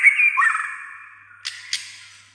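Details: White-rumped shama in song, a rich descending warble followed by two sharp click notes as the sound fades.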